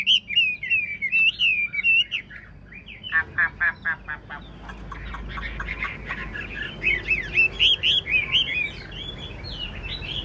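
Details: Caged Chinese hwamei, big-bodied ngũ trường bird, nodding and dancing while it sings: long looping whistled phrases, then a fast rattle of short repeated notes, then rich varied warbling with further quick note bursts.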